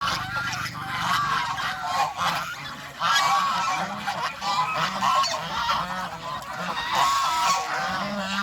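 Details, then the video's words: Domestic geese in Cambodia grazing grass and grain by a pond on a farm; dense overlapping nasal honks and cackles from several birds, fairly continuous throughout, with a low steady background hum. "Happy Geese Enjoy Fresh Grass & Grain by the Pond"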